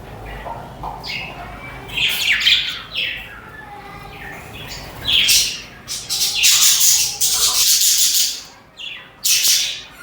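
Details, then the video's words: A flock of chattering budgerigars (parakeets) gives quick scratchy, buzzy chirps and harsh squawks that build into a continuous noisy jumble, then break into short separate bursts. "The Soul of a Budgie | Peaceful Chirping Sounds to Soothe the Mind"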